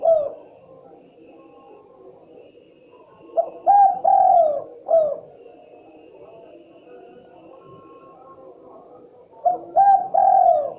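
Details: Spotted dove, locally tekukur, giving its characteristic call: a falling coo, then two phrases of short coos, a long drawn coo and a downslurred note, soft against faint background hiss.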